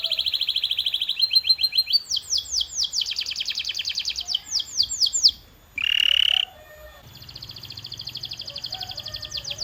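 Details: Canary song used to stimulate singing: high rapid trills change into clusters of swept notes, with a brief piercing whistle and then a fast even rattle of high notes.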